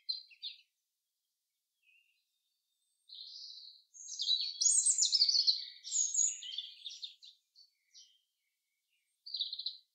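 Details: Common chaffinch singing in the forest: a short high chirp, a pause, then a loud run of bright, jumbled notes over about four seconds, ending in a brief high burst; no other sounds.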